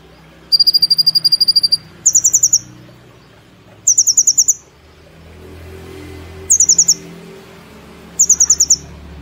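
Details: Brown-throated sunbird kept in a cage, singing for a training recording. Bursts of rapid, high, sharply clipped notes repeat at intervals of one to two seconds, each burst brief and even, over faint low background rumble.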